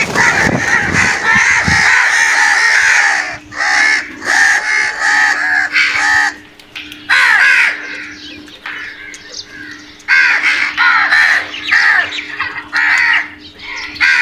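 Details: Crows calling while brutally attacking food: a dense run of harsh, hoarse caws, some overlapping, from several birds, broken by short pauses and resuming in bursts.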